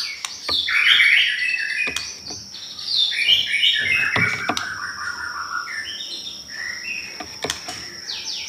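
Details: White-rumped shama singing as a lure to provoke rival birds: loud, varied whistled and chirping phrases that fade to softer notes, with a constant high tone and scattered sharp clicks throughout.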